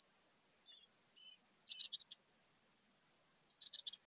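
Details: Chickadee hatchlings in a birdhouse, 2024, near fledging: two faint short whistles, then two loud clustered bursts of high, shrill chirps about two seconds apart, otherwise quiet.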